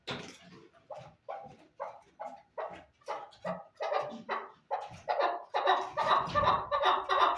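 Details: Chukar partridge building a call series: spaced clucking notes at first, then quickening and growing louder into a dense, harsh chattering run near the end.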